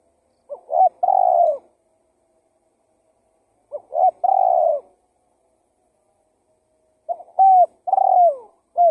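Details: Lure call of a spotted dove for drawing in wild birds. Three phrases about three seconds apart, each a quick stuttering coo pair followed by a longer, falling, burry coo. Quiet background.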